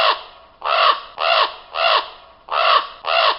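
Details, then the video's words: Common raven calling: harsh, hoarse croaking caws, six in a row, each about half a second long and spaced roughly evenly, with no other sounds. "What does a raven sound like? | Real raven sound"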